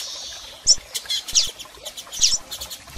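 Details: Calls of female and male double-collared seedeaters for stimulating a male: crisp high chips and quick downslurred notes, several per second in places, among percussive clicking sounds.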